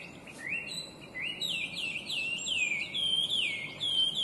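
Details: Chinese hwamei, an invasive species, singing brightly and intricately: a rapid run of loud, slurred whistled notes, each sweeping up and down, rising in pitch and getting louder toward the end, over a soft steady background hiss.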